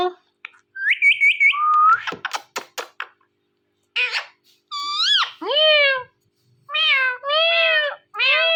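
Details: Pet rose-ringed parakeet in a room, talking to a phone: quick trilled whistle notes, clicking syllables, then a run of wavering, nasal meow-like calls repeated about once a second.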